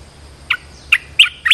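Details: Red-whiskered bulbul acting as a decoy to lure a wild bird: four short bright warbled notes spaced about a third of a second apart, each dipping and rising, over a quiet low hum.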